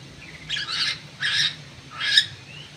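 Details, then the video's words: Crewet bird giving three harsh, noisy bursts about half a second long and roughly evenly spaced, with a low steady hum in the background. "BURUNG CREWET"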